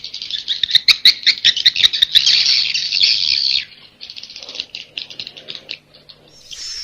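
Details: Swiftlet roosting call of the 'Inap Ababil' type: rapid ticking chirps merging into a steady buzzy chatter, then a quieter stretch of scattered clicks and a final high whine.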